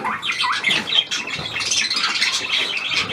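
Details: New hand-tame Australian pied budgerigar, 17 February 2023: lively high chatter of scratchy notes, rising squeaks and clicks packed closely together.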